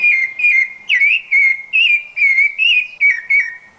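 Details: Rufous-bellied thrush, national bird of Brazil, singing a run of clear whistled phrases near one pitch, each slurred and warbling, about two per second with short gaps, in a quiet setting.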